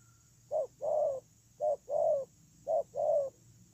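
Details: Spotted dove decoy bird for ground luring, cooing three phrases, each a short note followed by a fuller, longer falling coo, spaced about one second apart over a faint high electrical whine.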